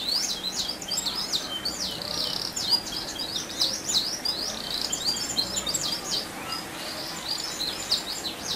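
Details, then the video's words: Canary giving a rolling song meant to provoke other canaries into singing: rapid, continuous high chirps and trilled rolls in quick bursts throughout, over a steady background hiss. "Pancingan Kenari Gacor Dor Ngeroll"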